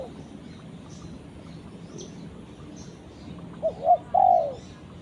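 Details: Spotted dove calling to its companion: after quiet background hiss, near the end come two short rising-falling coos and then one longer, drawn-out coo that slides downward.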